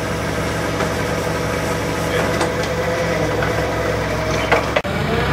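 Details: Steady engine-like drone at a lake at 7 am, with faint voices and a sharp knock near the end; no animal calls.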